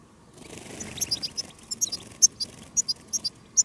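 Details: European goldfinches in the field during a silvestrismo outing, with a decoy goldfinch and a female goldfinch set in a rockrose bush to call in wild birds. Rapid, high, sharp twittering notes in scattered bursts over a low background rumble.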